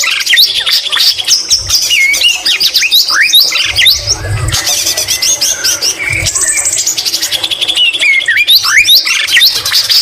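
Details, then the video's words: White-rumped shama singing vigorously, its song filled with imitations of the greater green leafbird: a dense ten-second stream of high whistles, rapid trills and sharp rising and falling notes, with a few low thumps. "Murai batu isian cucak ijo Gacor Mewah"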